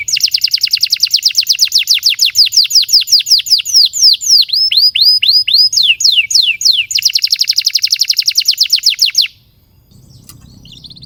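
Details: Long canary song used as a prompt for young and stalled canaries: nine seconds of continuous rolled trills of rising sweeps, shifting speed midway, ending in silence.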